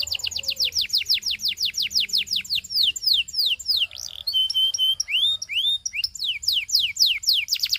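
A Belgian canary sings a fast, rolling series of high, sweeping descending notes, changing midway to rising whistled slurs and buzzy trills, then returning to quick repeated sweeps.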